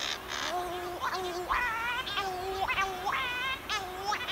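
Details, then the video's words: Cory's shearwaters on Pico Island, 2019, mated birds arriving at night from fishing at sea to relieve their partner on the single egg in a dense breeding colony; lower drone-like female calls and higher plaintive male calls, harmonic wails repeated roughly every half second. "call of CORY'S SHEARWATER"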